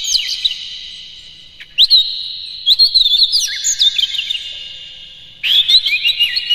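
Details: Morning song of an Oriental magpie-robin meant to stimulate captive birds: rising whistled notes, short trilled runs and chattering phrases, then a final strong burst of varied whistles.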